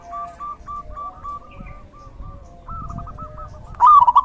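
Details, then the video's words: Zebra dove in the rainy season: a faint, even series of soft coo notes, then a brief loud bubbly cooing burst at the very end. "Suara Terapi perkutut/Merbuk di Musim Hujan"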